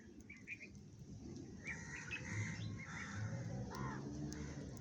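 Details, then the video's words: Sparrows eating food, with several short chirps and squeaky notes near the middle pitch range, some in quick pairs, over steady low rumbling background noise outdoors. "Sparrows are eating food । Sparrow feeding । Sparrow Sound Effect ।, chorui pakhir khabar।চড়ুই"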